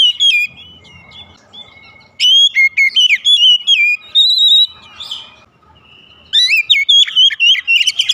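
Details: Morning singing of a kacer, the white-rumped shama: clear whistles and rapid chirps in three bursts with quiet gaps, the notes swooping between mid and high pitch.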